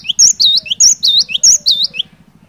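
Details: Energetic song of a cinereous tit meant to stir a silent bird into singing: bright, repeated whistled phrases pairing a high thin note with a lower bowl-shaped slur, delivered briskly for two seconds against a low mechanical pulsing.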